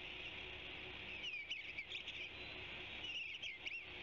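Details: An Eastern Bluebird sings on a branchlet at the Savannah Ospreys cam site, giving two soft, warbled phrases of rising and falling notes, about a second and a half apart, over a steady background hiss.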